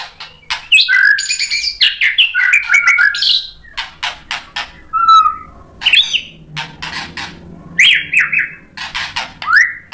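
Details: Provoked white-rumped shama fighter answering back: bursts of varied whistled phrases and a short trill, interspersed with loud harsh broadband notes and brief silences, the phrases coming in irregular spurts.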